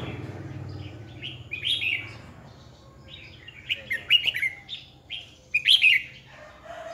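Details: Decoy Red-whiskered bulbul singing a 2020 contest song meant to goad other bulbuls into singing: several separate bursts of loud, liquid whistled notes, each about half a second, with short pauses and low background hum.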